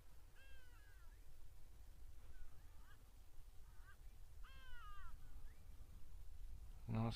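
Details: Hadeda ibises, a very common sound here, give harsh, falling, nasal calls in short bursts every second or two on 1 December 2022, over a steady low rumble, ending with a sharp knock.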